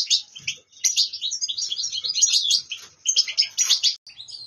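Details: Goldfinch song, part of a collection of goldfinch recordings: rapid, busy twittering of high chirps and trills packed together in tumbling bursts, with brief pauses and faint low sounds beneath.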